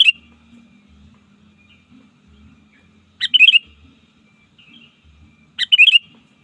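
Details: Sooty-headed bulbul trained as a wild-catching lure, calling rivals with short liquid bubbling phrases heard three times, widely spaced, over a faint low droning background.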